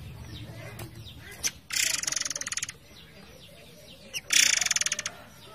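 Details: Forktail singing in a training recording for songbirds set over flowing water; two dense, dry rattles of rapid pulses, each about a second long, separated by quieter soft chirps and background hiss.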